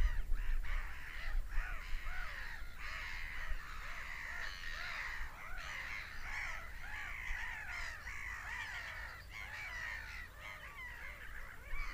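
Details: Seagulls screaming in a busy, continuous chorus of harsh squawks, many birds overlapping at about three calls per second, with a low rumbling background.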